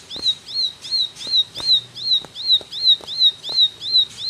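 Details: Bar-winged prinia in full, fast song, a recording used for training other birds, giving a rapid, steady series of high, sharp chirps, close to three per second, with faint clicks in the background.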